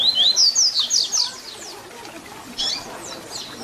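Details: Fibra-style Tui Tui Zel Zel song of a double-collared seedeater, used for teaching young birds. Loud rising and falling high whistles open quickly, then softer repeated slurred notes follow after a short pause.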